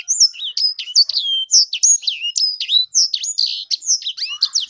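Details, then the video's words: Sanger bird pours out a fast, varied song of high whistled slurs, chips and twitters, tumbling almost without pause; no other sounds intrude. "Burung sanger beneran sangar suara nya"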